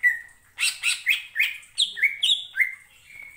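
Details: Singing greater green leafbird (cucak ijo), played to stir other birds to sing: a steady whistle, then a rapid run of rich, harsh-edged notes and rising and falling whistled phrases ending on a flat tone.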